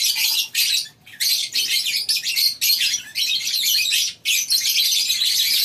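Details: In a colony aviary of a lovebird farm one morning, many birds produce shrill, high chattering in dense bursts separated by short silent breaks, a choppy on-off rhythm.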